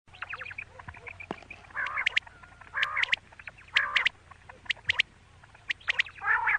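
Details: Female quail (batair) calling, raspy harmonic squawking notes in short bursts, several stacked and quack-like, with sharp clicking ticks in between and quiet pauses; no other clear sounds.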